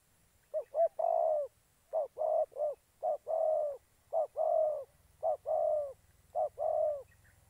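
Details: Decoy spotted dove calling during trapping in Gia Lai, Vietnam: repeated phrases of two or three short mellow coos followed by a longer falling coo, about one phrase per second, with faint low hum.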